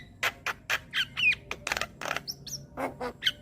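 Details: Javan myna tutor song for young birds; loud harsh squawks and grating bursts, several rapid clicks and a couple of thin whistles, roughly four notes per second.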